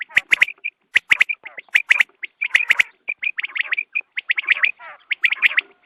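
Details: Quail at dawn, recorded for hunting: rapid clusters of high, clear chip notes, about seventy-six per minute, mixed with harsher buzzy trills throughout.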